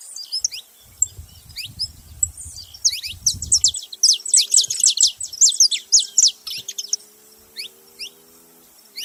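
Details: ['Several saffron finches calling together: a dense chorus of high, sharp chirps and downward-sweeping notes, thickest in the middle, with low rumbling noise early on and a faint low hum later.']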